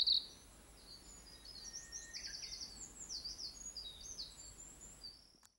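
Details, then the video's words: Japanese leaf warbler singing on 4 June 2022 in southern Nara Prefecture, Japan: quick, high, dry chattering notes run together for several seconds, over a faint steady background hiss. "メボソムシクイの囀り Japanese Leaf Warbler Song"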